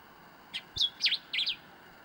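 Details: A common diuca finch in Catamarca, Argentina gives a brief, bright phrase of four quick whistled notes, slurring up and down, all within about one second over a quiet background.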